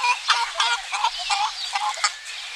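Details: Domestic chickens on a spring morning in a Greek village, clucking in a quick series of short, throaty notes, about eight in under three seconds, with small wild birds chirping faintly behind.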